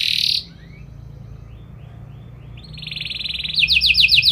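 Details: Canary song with ornate turns used to get other canaries to reply; a loud buzzy burst, then soft faint slurred notes, building into fast, loud, pulsing high trills.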